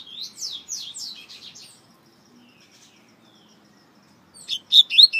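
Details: Coleiro (double-collared seedeater) from Brazil, a celebrated singer with many recordings on CD: a fast series of descending, buzzy-edged whistles fades into near silence, then a loud new phrase of sharp chirping notes begins.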